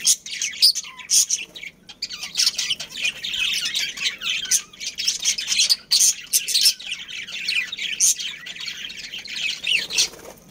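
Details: Colony of budgerigars, a breeding pair and family, keeping up a continuous busy warble of grating chirps, buzzy twitters and occasional sharp squawks, with only brief lulls.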